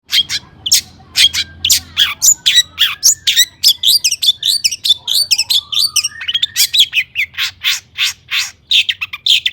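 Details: Long-tailed shrike in agitated, energetic song used to provoke other shrikes into singing: rapid series of sharp chirps and buzzy notes with fast downslurred whistles, nearly continuous, bright and high-pitched, little background noise.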